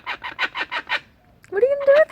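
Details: Adult laughing kookaburras noisily sharing food: six harsh, rapid chuckling notes, about six per second, then a rising, drawn-out voiced note that may be a person speaking.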